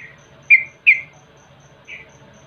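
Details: Yellow-vented bulbul lure sound for prompting birds to sing: two sharp, bright downslurred chirps close together, then a softer one, over a low hum and faint regular ticking.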